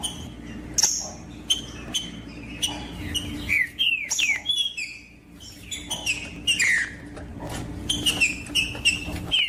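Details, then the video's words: Song of the trinca-ferro, or green-winged saltator, played to stimulate other saltators: spaced sharp chirps, then clusters of descending whistled slurs and a later run of short repeated whistles. "TRINCA FERRO PARA ESQUENTAR TRINCA FERRO COM TRINCA FERRO CANTANDO"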